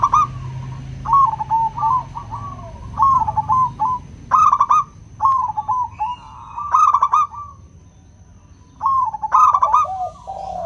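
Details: Local zebra dove with a crisp, ringing voice, used to lure silent doves into singing: rapid rolling coo phrases repeated in bursts of sharp trills, a quieter pause midway, faint steady hum behind.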